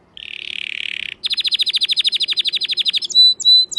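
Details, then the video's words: Loud canary song that opens with a dry buzzy rattle, moves into a rapid series of sharp descending chips, and ends with clear high whistled notes. "أعلى صوت كناري"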